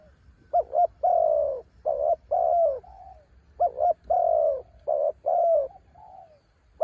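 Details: Mountain-caught spotted dove kept as a decoy, singing in strong wind: two similar phrases of soft low coos, each a quick stuttered double note leading into longer even coos that trail off quietly.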